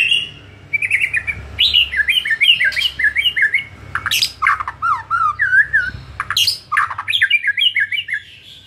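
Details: White-rumped shama, afternoon lure song for a caged bird: fast continuous run of looping whistled notes that zigzag up and down, broken by short harsh buzzy bursts and sharp clicks.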